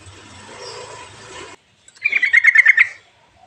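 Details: Sooty-headed bulbul song used as a lure to stimulate reluctant birds to sing: after a short hiss of background noise and a pause, a fast bubbling run of about ten bright chattering notes lasting one second.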